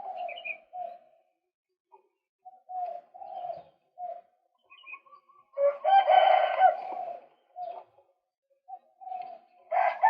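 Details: Male white-breasted waterhen on a lure recording: short quiet kwak notes spaced irregularly, broken by a loud rasping croak cluster midway and another harsh burst at the end.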